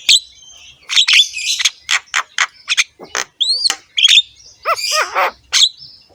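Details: Javan myna, jalak kebo, in rough-voiced song with head bobbing: spaced harsh squawks and clicks, upward whistled swoops, and a quick run of falling looped notes near the end.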